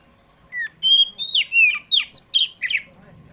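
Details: Kacer poci Oriental magpie-robin singing in the afternoon, meant to stimulate pet birds to sing: about eight loud whistled phrases in a rapid series, mixing long level whistles with quick downward-sliding notes, clean and prominent.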